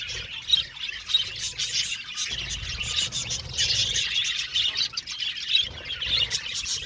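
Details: A flock of budgerigars in an aviary, chirping and squeaking continuously with short sharp peaks among the steady high chatter, over a low background rumble.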